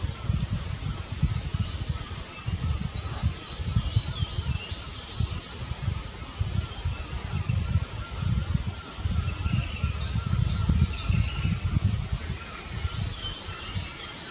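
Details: Himalayan cutia building and flattening its nest at close range; sharp, high chirps come in quick rattling bursts, one around three seconds in and another near ten seconds, over a steady low rumbling noise.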